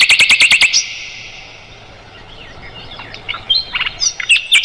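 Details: Mugimaki flycatcher song used as tutor material for songbirds such as the white-rumped shama: a quick run of six sharp, high chirps, a quiet gap with soft faint notes, then scattered bright whistled notes and sharp chips toward the end.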